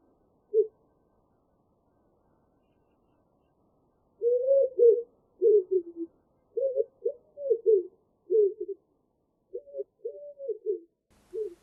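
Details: Common wood pigeon in open hornbeam forest during the morning chorus: a lone soft coo, then after a pause a run of deep, husky cooing phrases of several notes each, steadily repeated.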